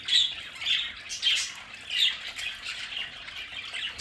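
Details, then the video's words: Pet budgerigars kept at home in a play area give buzzy, warbled chirps and harsh squawks, rising in loud bursts about every half second over steady background chatter. "Sonidos de budgies para Budgies en casa"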